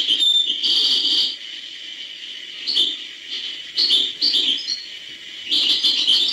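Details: European goldfinch singing hbal style, short separate bursts of sharp, high twittered notes and rising chirps, some sweeping upward, spread across several seconds with quiet gaps between.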